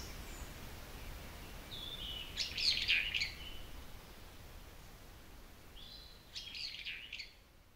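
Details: Wild birds singing from a forest beside satoyama countryside meadows of wildflowers in hot weather. Two short bursts of high, rapid twittering, the first at about two and a half seconds and another near six and a half seconds, over a steady soft outdoor hiss.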